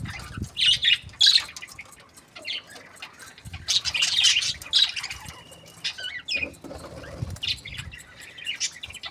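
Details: Budgerigars from breeding pairs chirping contentedly in bursts of shrill, scratchy chatter and sharp squeaks, separated by brief quieter gaps, with soft low background noise.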